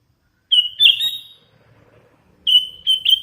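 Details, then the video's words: Young hand-reared sooty-headed bulbul giving a drawn-out whistled note that slides into a rich slurred phrase, then after a short pause two more bright whistled notes. "Suara ASLI kutilang LOLOHAN GACOR"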